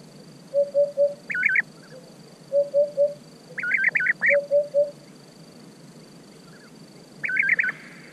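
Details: Bursts of rolling, quavering calls from a European bee-eater come in clusters a few seconds apart, interleaved with lower, evenly repeated short notes from another bird.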